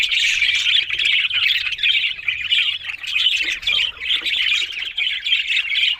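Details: Budgerigars, Australian parrots, in a steady stream of warbled, scratchy chattering with quick squawks, almost continuous with brief pauses around every second.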